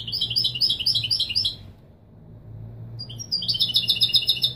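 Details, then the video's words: European goldfinch singing the Widani Marrakchi style used to train young birds: a sparkling, jumbled twitter, a silent gap, then a sharp note leading into another fast, high trill. A low hum continues in the background. "تغريد الويداني المراكشي الأصيل لله يبارك لتسميع و تلقين الفراخ"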